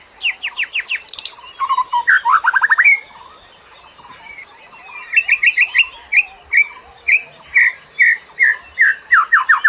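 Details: Bird song played to lure other birds, from Indonesia: a burst of very high buzzy trills and tumbling notes, a pause, then a regular series of loud rising whistled chirps.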